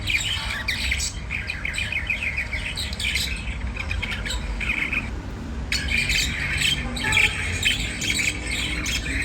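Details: Budgerigar of the white diamond variety giving rapid scratchy warbling and chirping, briefly quieter near the middle before a loud burst resumes, over low background hum.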